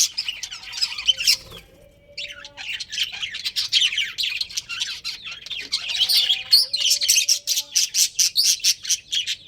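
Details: Pet budgerigars, a breeding pair: chattering warble, a short quiet gap, then resumed chirping ending in a run of evenly spaced sharp chirps repeated several times per second.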